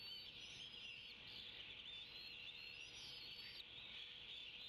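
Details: Two young bald eagles at the Decorah nest on 25 May 2016, waiting for breakfast fish as a parent brings food and feeds them; faint, continuous high thin chittering and squealing peeps with steady low background hum.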